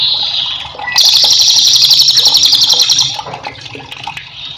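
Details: Cililin singing vigorously, offered as a master song for teaching cage birds: a dense, buzzy rolling trill of rapid high notes lasting about two seconds, with quieter chirps before and after over a steady background of running water.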